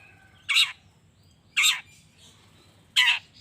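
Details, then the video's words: Provocation recording of a long-tailed shrike: three loud, coarse, rasping notes about a second and a quarter apart, each slightly drawn out, over a steady low background murmur. "Cendet Gacor Pagi Siang Sore...Merangsang Emosi Cendet Manapun Agar Cepat Nyaut Emosi Dan Ikut Bunyi"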